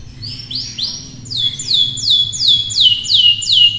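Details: Canary in full song: a regular series of bright, high notes sweeping downward, repeated about two and a half times per second, over a low background hum.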